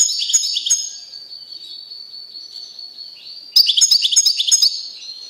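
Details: Male European goldfinch kept caged and apart from a female canary sings rapid tinkling twitters, followed by a long sustained thin whistle, then another lively burst of jumbled trilled notes.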